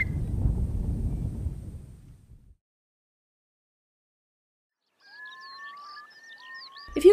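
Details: Whimbrel call, possibly from birds migrating high overhead: a quick series of clear, even, confident whistled notes near the end, after a low rumble of background noise.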